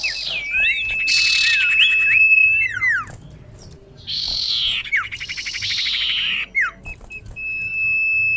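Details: Female common iora calling a male, a lure call: wavering whistles over a buzzy rasp, a long flat whistled tone, rapid pulsed trills, and a steady thin whistle at the end.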